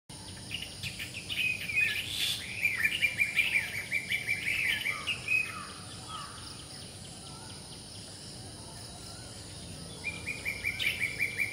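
A black drongo gives bursts of rapid, metallic chattering notes, repeated in quick runs, over a steady high hiss of insects.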